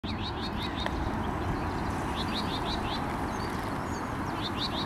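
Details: Common whitethroat on 12 May 2022, giving short bursts of quick, scratchy high notes every couple of seconds over steady rumbling background like wind or distant traffic.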